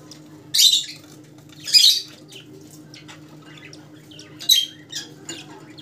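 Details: Rosellas in assorted colour mutations: three grating, noisy squawks spaced about a second or more apart, with quiet chatter and a steady low electrical hum.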